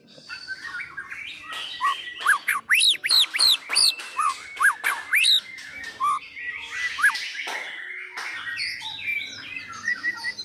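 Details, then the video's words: Medan-type white-rumped shama song used to coax other birds into singing: loud, clear whistles that swoop up and down, delivered in quick bursts with short pauses, followed by softer, varied chattering notes. "Masteran Pastol (Murai Batu )Agar Ikut Bernyanyi."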